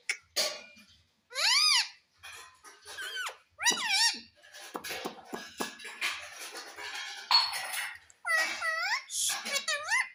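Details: Talking pet ringneck parrot at home, known for saying "mummy": a run of repeated arched, rising-then-falling vocal notes interspersed with clicks and rougher chattering sounds over ten seconds.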